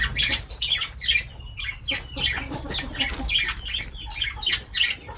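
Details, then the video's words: Feeding lovebirds chattering, rapid shrill chirps and squeaky notes repeated steadily, several birds overlapping throughout with little pause. "Love birds voice sound"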